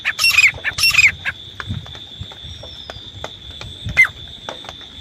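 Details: Desi grey francolin calling, recording used as a hunting lure: two loud, harsh, rasping notes in quick succession, then a fainter third note, over a steady high insect-like hum and scattered clicks.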